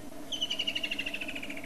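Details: Woodland kingfisher, a summer migrant to southern Africa, gives a high, rattling trill of about a dozen rapid notes that slowly falls in pitch over just over a second, with a low background hum.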